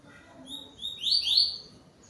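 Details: Yellow-billed double-collared seedeater, a captive bird singing to another on 12 November, giving short whistled notes followed by a louder buzzy, rising-falling burst of high phrases; faint background noise.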